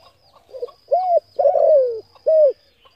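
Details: Close spotted dove delivering its coo phrase for rousing decoy birds: a soft warm-up note, an arched coo, a long coarse coo sinking in pitch, then a short rounded coo. A steady thin high tone is also heard.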